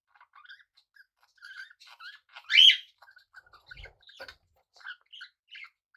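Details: Pet budgerigars living alongside cockatiels murmur in a scratchy chatter, broken by a single loud harsh squawk, with a brief low thump.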